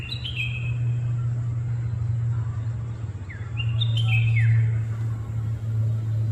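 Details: Red-whiskered bulbul gives short chirping phrases of sharp, falling and slurred notes in two bursts, near the start and again around the fourth second. A steady low engine-like hum runs throughout.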